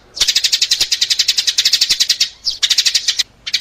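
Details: Lure recording of sparrow calls: a fast chattering run of sharp, high chirps, about eight per second, broken by a short pause and a second quick run.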